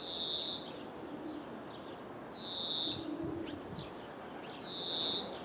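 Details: Greenfinch recorded through a window in Jordan, giving a drawn-out nasal buzzy wheeze roughly every two and a half seconds, three wheezes in all, with faint high ticks between them over low background rumble.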